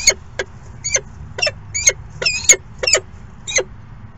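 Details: Peregrine falcon at the nest during a late morning feeding: short, harsh, rasping notes, about eight of them spaced unevenly across four seconds, over a steady low background hum.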